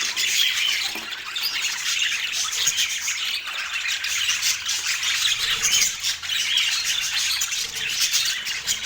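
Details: Pet parakeets at morning feeding time on an autumn morning in natural light, giving dense, continuous scratchy squawks and chirps high in pitch, overlapping with one another, steady throughout with no pauses.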